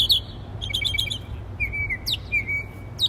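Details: A bird chirping in trees while communicating with other birds gives sharp twittering notes, a quick stuttered series, then thin drawn-out whistles sliding slightly downward, with a low background hum.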